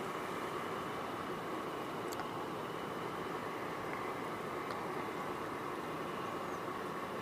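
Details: Steady broadband rumble like a moving vehicle or train interior, with faint clicks, and no animal voices.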